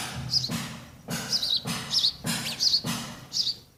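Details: Nestling sparrows waiting to be fed utter high, squeaky double chirps roughly every half second over steady low background hum and thuds.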